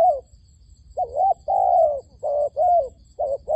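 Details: Repeated low coos from a trapping decoy dove luring wild doves, with short dipped notes and longer sustained ones following closely after an opening pause.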